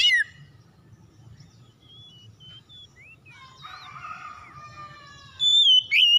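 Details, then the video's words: Oriental magpie-robin song used to draw out reluctant singers: mostly soft, thin whistles and a quiet warbled phrase, with louder clear whistled notes at the very start and two strong ones near the end, over a constant low hum. "PANCINGAN KACER MACET BUNYI CEPAT IKUT BERPERAN LANGSUNG GACOR"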